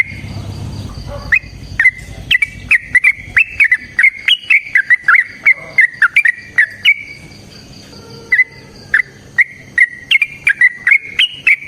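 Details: Sooty-headed bulbul in a long, lively fighting-style song: a fast run of loud, clear whistled notes, each sharply attacked and slightly bending, repeated several times a second with a short pause midway.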